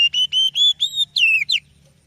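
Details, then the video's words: Kacer, the oriental magpie-robin, singing as a lure: a run of five clear, steady whistles climbing slightly in pitch, then two falling slurred notes, with a faint low hum behind. "Suara Burung Kacer Yang Sangat Indah,Cocok untuk Pancingan"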